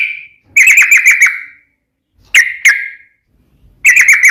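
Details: Sooty-headed bulbul (trucukan) singing in lively, varied fashion: a single whistle, then short fast clusters of sharp chirped notes separated by silent gaps.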